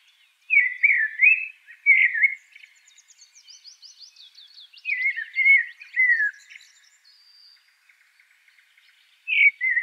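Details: Common Blackbird singing: low, mellow fluted warbling phrases, each followed by softer, higher squeaky twittering, with phrases separated by pauses of a few seconds.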